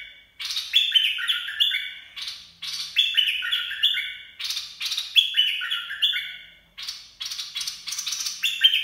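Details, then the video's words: Clean recording of a red-whiskered bulbul's dok taeng song, for training young birds and luring: five loud phrases of crisp whistled notes cascading downward, separated by short pauses, with no background noise. "เสียงนกกรงดอกแตง เพลงน่าฝึกหัดลูกนก ล่อนกหัยคัก"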